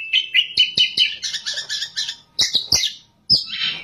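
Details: Oriental magpie-robin singing hard in ngerol and nembak styles: a rhythmic run of buzzy, repeated high notes at about five per second, then sharp ticks and a harsh rasping ending.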